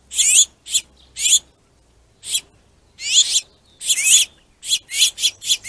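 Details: Finches squabbling over a plentiful food source, aggressive and territorial: harsh, raspy high chirps in short bursts, irregular at first, then faster and repeated in quick succession.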